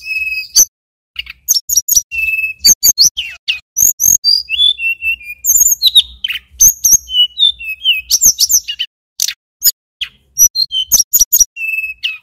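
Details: Long continuous song of a male mountain tailorbird from Banyuwangi: dense strings of very high sharp chips broken by clear, falling whistled phrases, delivered with barely a pause.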